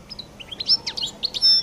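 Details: Short fragment of the distinctive 'qal' song of a European goldfinch: quick high twittered notes rising and falling, finishing in a thin, sustained whistle.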